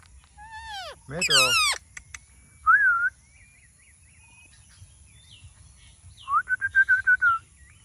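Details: Parrot sounds recorded naturally: sweeping whistles, a loud harsh rasping burst, a short wavering whistle, then a fast run of repeated whistled notes near the end over steady background hiss.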